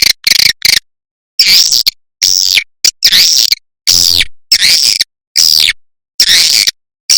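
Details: Recorded swiftlet calling used as a lure: separate rasping chirps, each rising then falling, sounding roughly once a second with clean silences between.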